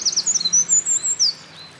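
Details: Brief burst of song from a Eurasian wren that had been carrying nest material at a mountain pass, 28 April 2024. Quick, very high chipping and whistled notes for just over a second, then quiet.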